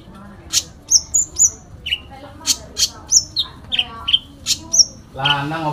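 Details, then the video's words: Full fighting song with fill phrases by a sooty-headed bulbul: alternating high thin whistles and lower sharp chirps in an irregular sequence, ending in a brief harsher, buzzier sound. "Konin Dacok full isian tarung"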